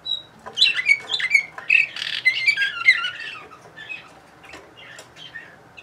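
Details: Singing Bulgarian canary, Sofia, 2020: a lively run of quick chirps, slurred whistles and a short buzzy burst, then softer, sparser notes trailing off toward the end.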